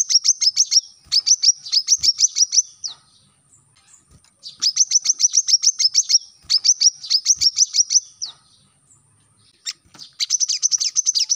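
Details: High chip-note bursts from a brown-throated sunbird, played to teach caged birds to sing: short runs of quick sharp notes broken by brief pauses, with a few isolated clicks between phrases.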